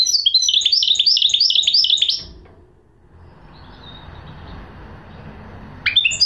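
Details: Two seconds of busy, jangling twitter from a goldfinch hybrid, high-pitched and tightly repeated, then a stretch of low background noise before a brief rising note returns.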